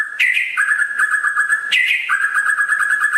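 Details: Rare, very vocal white-rumped shama from West Aceh, Indonesia, singing loud sustained whistles. Each phrase opens with a sharp upward slur, then settles into a steady lower tone. Two near-identical phrases come about 1.5 seconds apart, with faint high overtones above.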